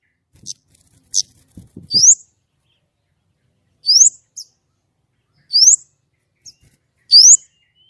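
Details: White-rumped shama singing in clear voice: sharp, high, rising whistled notes repeated roughly every one and a half seconds, with brief soft clicks and a few faint low taps near the start.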